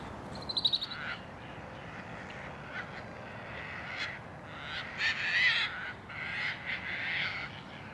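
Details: Terns in a colony nesting on the roof of an abandoned building beside the Cataraqui River. A quick stuttering series of notes opens, followed by overlapping harsh, rasping calls from several birds.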